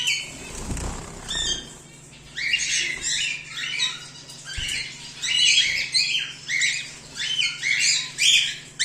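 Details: After a brief thud and a quiet gap, home-bred cockatiels, whiteface emerald and exhibition grey male, break into repeated grating squawks, roughly twenty bursts a minute, over a low hum.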